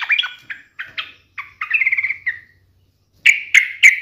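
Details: Yellow-vented bulbul in full song, teasing a rival to provoke a reply: bubbly, gurgling phrases of short rolling notes, then three loud, sharp chirps spaced evenly near the end.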